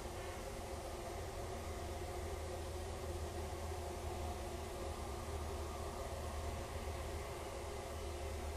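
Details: Steady broadband hiss over a low mechanical hum, with no animal sounds.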